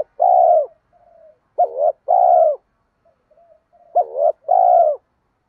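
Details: Cooing spotted dove meant to goad reluctant captive doves to call: two phrases, each a quick wavering double note then a long sustained hoot, soft faint murmurs between.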